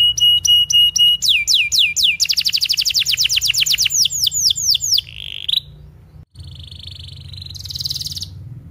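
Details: Canary song for training young canaries: clipped whistled notes, a long series of sweeping upslurred notes slowing gradually, then softer buzzy trills and a brief quiet pause.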